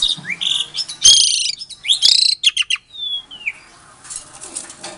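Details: Captive-bred Asian pied starling from Klaten, Indonesia, singing to provoke silent starlings into answering: harsh rasping bursts mixed with rising whistles and a long descending whistle, then quieter chatter.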